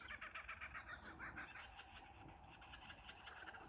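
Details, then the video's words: A chorus of kookaburras recorded from a cottage verandah at Ballandean gives a dense run of harsh, rapid chuckling notes rising and falling over a low rumble of background noise. "Kookaburra sounds"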